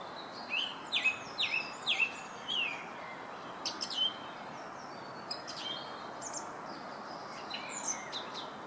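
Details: A song thrush in Herttoniemi repeats a bright, down-slurred whistled phrase about five times in quick succession, then switches to varied, scratchier notes, over a steady background hiss.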